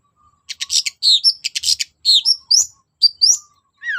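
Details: Loud Long-tailed shrike, used as a lure to make quiet shrikes sing. Rapid scratchy chatter gives way to clear slurred whistles, ending with a falling whistled note.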